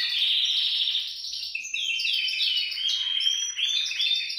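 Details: Canary song aimed at inciting canaries to sing: a buzzy rolled trill, then varied clear whistled notes and quick slides in lively succession.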